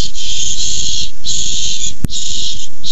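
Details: Barn owls in a food fight over a tiny mouse, recorded 6-4-15: long harsh hissing screeches, each lasting about a second, with short breaks between them, one sharp click midway, and a steady low rumble underneath.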